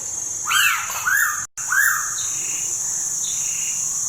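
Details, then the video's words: Pitta recorded at Tha Pom, Krabi, uttering loud arched whistles, first a close double note, then a single one after a brief gap, over steady insect buzz. "แต้วแล้ว ณ ท่าปอม@กระบี่"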